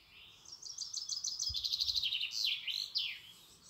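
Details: Close European robin song: a steady string of fast high repeated notes, followed by loud falling and rising slurred whistles and a final downward sweep, in an otherwise quiet setting.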